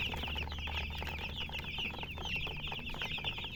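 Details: Chicken chicks calling together, dense high warbling peeps that run without pause across the clip, with a low humming background.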